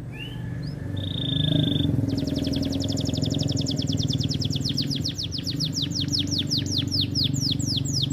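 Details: Energetic male canary singing, recorded to get female canaries into breeding condition: short rising chirps and a held whistled note, then a long, rapid, buzzy trill of repeated downward-sweeping notes over steady low hum.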